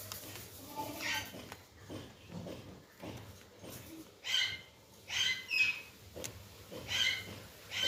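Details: Green parakeets in Pakistan, said to be very hungry, give harsh, high-pitched screeching bursts, one roughly every second, each short and scratchy, over faint low background hum.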